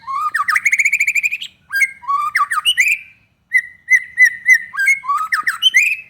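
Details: White-rumped shama lure song, meant to set other shamas singing: rising trilled runs, slurred whistles and repeated sharp notes in varied phrases, with brief pauses between bursts.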